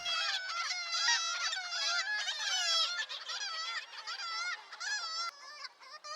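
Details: Black-legged Kittiwake colony on a headland during the chick-feeding season: dense, overlapping nasal, wavering 'kitti-wake' calls repeated without pause, loud and harsh, with birds circling and agitated by Herring Gulls flying over.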